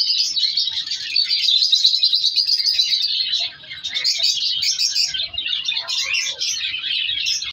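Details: Color African lovebirds in a captive breeding colony as chicks are separated. Steady shrill chatter from many birds dips briefly midway, then resumes with scattered sharp squeaks.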